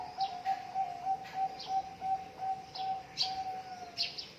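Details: Zebra dove song used as a training recording for birds reluctant to sing: a steady low cooing tone pulsing in rapid, slightly uneven beats about three per second, with faint high chirps from other birds.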